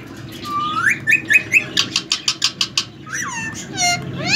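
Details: Three-year-old male ring-necked parakeet, a semi hand-tamed pet that whistles: upward-sliding whistles, then a quick string of about ten sharp notes, a falling whistle and a final rising sweep.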